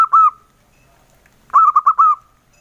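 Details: A local male zebra dove gives its very soft engkel-style song: one lone coo fading out, over a second of silence, then a quick burst of three soft coos closed by a longer, level note.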